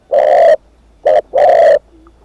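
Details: Single cooing phrase from a spotted dove kept as a decoy: a long low coo, a short clipped note, then another long drawn-out coo.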